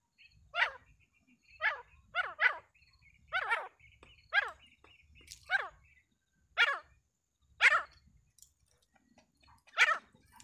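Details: Grey francolin calling repeatedly with rasping, downward-slurred notes, some paired, at irregular intervals of about a second. A faint low rumble runs underneath.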